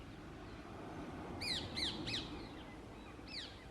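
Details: Indian ringneck parakeets during the summer breeding season, when pairs select nest holes and court females. Three quick, harsh, rasping screeches come in a row, then one more after a pause, faint over quiet outdoor background.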